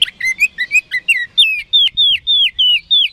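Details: Oriental magpie-robin (kacer) lure song meant to make opponent birds answer quickly: a steady series of about a dozen clear whistled notes, each sweeping down, repeated roughly three times a second.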